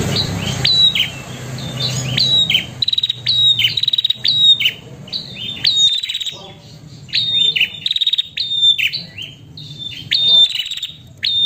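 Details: Female prinia summoning a male, a long run of piercing high chirps and brief rapid trills with short gaps, clear and loud over a quiet background.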